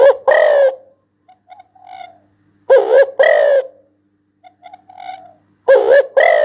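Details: Spotted dove repeating a three-part low, hoarse coo phrase roughly every three seconds, with faint soft whistled notes from another bird in the gaps.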